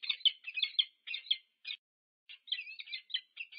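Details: Meeting of a peregrine falcon pair at a UC Berkeley nest, USA, 2 November 2022: rapid, scratchy chattering notes, a pause of about half a second, then more grating calls.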